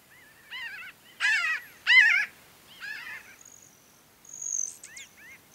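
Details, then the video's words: Pinyon jays of a flock, foraging and in flight at Great Sand Dunes, San Luis Valley, southern Colorado, give loud rich nasal calls in separate bursts of wavering notes. A high, thin Broad-tailed Hummingbird trill follows near the end. "Pinyon Jay flock calls"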